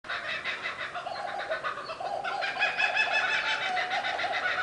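A kookaburra's harsh, cackling laugh, rapid hoarse notes about three per second, building louder and busier after the first two seconds, possibly with a second bird joining.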